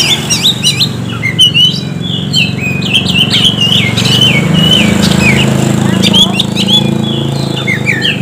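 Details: Oriental magpie-robin song used as a lure to stimulate silent birds; busy run of short whistled and chattering notes with quick up-and-down slurs, a low droning hum throughout.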